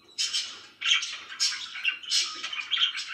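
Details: Cheerful pet budgies give quick bursts of scratchy chirping, each burst lasting under half a second and repeated about every half second.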